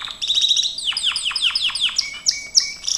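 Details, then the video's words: Gloster canary training song: rapid high chip series leading into a row of steep downward-swept notes about every quarter second, ending with bright high whistles. "Kenari gloster,GLOSTER CANARY SINGING"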